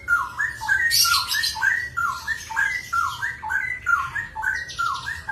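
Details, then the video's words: Cucak rowo, straw-headed bulbul, in ropel song alongside a samyong: a looping phrase of paired falling-then-rising whistles repeated about once a second, with harsh hissing noise above and a low hum. "cucak rowo ropel"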